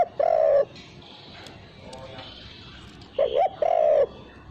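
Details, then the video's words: Spotted dove call used as a lure for training birds, without the final 'kuk' note: soft, hollow, mid-pitched cooing notes, one early and then two close together near the end, with quiet gaps between. "Pancingan untuk Burung Tekukur tanpa KUK"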